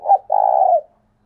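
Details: Captive decoy spotted dove calling in the thúc sung style: a short throaty coo followed, after a brief pause, by a longer, steady, purring low coo lasting about half a second, in an otherwise quiet setting.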